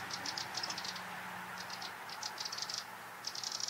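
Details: Singing Eurasian wren heard as quick, high rattling bursts of clipped notes, repeated in irregular groups over a constant rushing background hiss.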